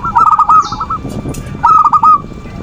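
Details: Perkutut song intended to rouse sluggish zebra doves to call and come into breeding condition: two quick phrases of rolling, bubbling coos about a second apart, with brief faint clicks between.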